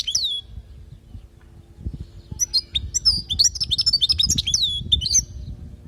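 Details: Teaching song of a European goldfinch from Palestine: an opening sliding whistle, a pause, then a lively stream of high twittering, buzzy and whistled notes with some low rumbling noise beneath.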